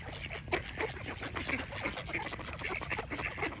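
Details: A group of ducks giving rapid, overlapping, rasping quacks, a near-continuous chatter with several louder calls standing out.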